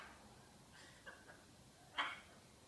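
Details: A pet macaw laughs with a few soft, throaty laugh-like syllables, then coughs with one louder, harsh burst near the end, in a quiet room.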